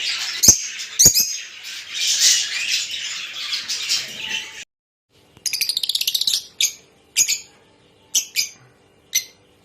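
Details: Rosy-faced and Fischer's lovebirds calling to encourage breeding: a few seconds of busy, overlapping shrill chatter with two sharp clicks, a pause, then a fast rattling trill and a series of separate high, squeaky chirps.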